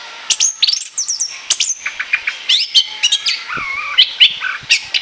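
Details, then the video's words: Orange-headed thrush in full chattering song, called ngoceh ngeplong, used as a lure for catching birds. Fast run of sharp whistled notes and high sliding slurs, then lower level whistles and rapid chips near the end, with almost no background noise. "ANIS KEMBANG NGOCEH NGEPLOOONG"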